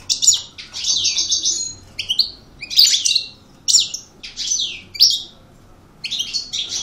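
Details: European goldfinch, described as an aggressive coupleur singer, delivering a lively song of high twittering notes, buzzy trills and downward-sweeping chirps in quick bursts with short pauses; a quiet indoor background.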